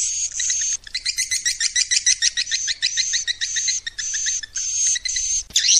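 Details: Swiftlet call played to attract swiftlets: dense, busy twittering of quick high chirps over a steady buzzy hiss, broken by short pauses, with a sharp rasping note at the end.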